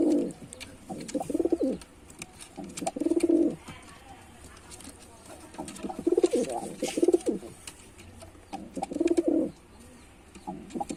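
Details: A male white pigeon performs a display of deep, rolling coos in four bursts spaced a few seconds apart, each a throbbing low phrase, over quiet background clicks.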